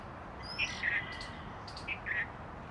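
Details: Oriental magpie-robin calling in New Delhi, India, on 18 January 2021: a few short, bright chirped notes in pairs, with a thin high whistle at the start, over a steady background hiss.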